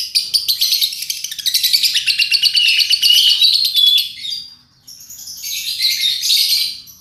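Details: Lovebird chatter played as a lure to get other lovebirds singing: a dense run of rapid, high, scratchy chirps and trills, then a brief pause before the high twittering resumes.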